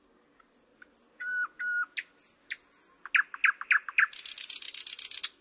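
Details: A thrush nightingale sings high slurred whistles and two level, pure whistled notes, then sharp strokes and a run of falling notes that ends in a fast, buzzy rattle.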